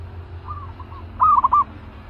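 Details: Soft, faint coos give way to one loud, rapid phrase of four or five quivering notes from a fierce caged zebra dove being prepared as a trap decoy.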